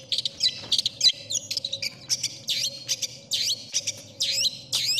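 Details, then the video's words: Long-tailed shrike (cendet) song favored by contest judges: scattered loud, high whistles that swoop up and down, with squeaky twisted notes spaced irregularly, over a steady faint hum. "suara burung cendet paling di cari juri"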